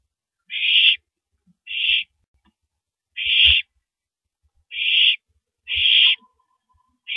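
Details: At 3:33 AM on April 9, 2012, a nest-cam owl shreds a big rabbit before downing it; hoarse, breathy hisses of about half a second come six times at uneven gaps, with light thumps beneath.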